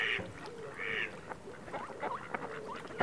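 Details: Ducks with ducklings: high-pitched bright peeps and short rising chirps, with lower nasal duck notes running beneath and faint clicks.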